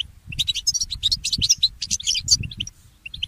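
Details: Mule goldfinch singing in the morning: a quick stream of sharp, tinkling chirps and short trills that thins toward scattered notes at the end, over soft low knocks.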